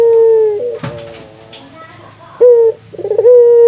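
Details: Local Indonesian spotted dove (puter) calling, used to stimulate other doves to call: loud sustained coos with a tremulous stuttered section between, then a gap of quieter background and a renewed coo.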